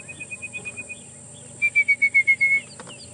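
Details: Orange-breasted Bushshrike singing at Djuma on an afternoon safari drive, 20 December 2014, heard after the engine was switched off: a very fast 'coffee tea or me' song of clear whistled notes, first soft and even, then louder.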